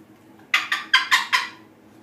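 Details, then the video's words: Female Triton cockatoo, a pet bird, taking a shower indoors: five loud, raspy screeches in quick succession, evenly spaced about a fifth of a second apart, with a person talking to her just before and after. "Julie's shower (Triton Cockatoo)"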